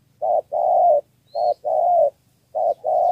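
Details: Spotted dove from Cà Mau, Vietnam, three-note 'thổ' coo used as a lure for wild doves: three rounds of a short hoot then a long, slightly falling coo, close and clear, one thin chirp between.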